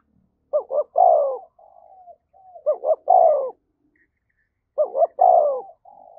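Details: Spotted dove fight-provoking coo. Three regular phrases, each two short rising notes and a longer falling coo, are followed by soft low trailing notes, repeating about every two seconds.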